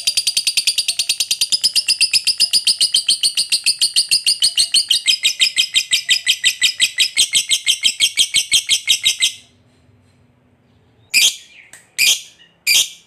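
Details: Fighter lovebird performing a long 'ngekek' trill to draw other lovebirds into singing: roughly nine seconds of rapid, rhythmic, shrill chatter, then silence and three short harsh squawks.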